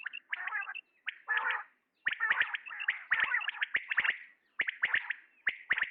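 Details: Calling male common quail: after a few rough, buzzy phrases, a run of sharp, liquid clipped notes in quick doublets and triplets follows, repeating at a steady pace.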